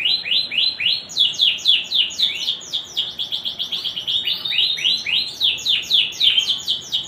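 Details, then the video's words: Lively canary song in the cengkok mewah style: a rapid string of piercing, downslurred whistles that speeds into tight trills midway and then returns to evenly spaced, bright chirps. "Suara Burung Kenari Gacor cengkok mewah"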